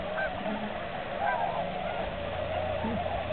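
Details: Steady massed hooting of many tundra swans resting at the Aylmer Wildlife Management Area during their March 2009 migration stopover, a constant mid-pitched wash of overlapping calls with a few clearer rising notes.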